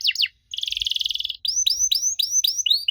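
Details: Canary singing as a lure for young canaries: two steep falling notes, a pause, a long buzzing roll, then a run of upward-curving whistled chirps repeated about five times a second.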